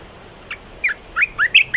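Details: Caged red-whiskered bulbul singing a newly learned song: a short run of bright, slurred whistled notes, rising and falling, delivered in quick succession over a quiet background.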